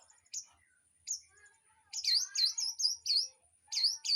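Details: Aviary birds used as song tutors for a white-rumped shama: a few isolated sharp notes, then a quick series of repeated swooping whistles, each dipping and rising, with a steady high hiss in the background.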